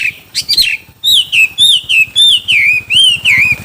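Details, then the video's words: Chinese hwamei in a song contest: after a few sharp chirps, loud slurred whistles rise then drop, repeated steadily about three times per second, over a low background hum. "Hoạ mi hót đấu"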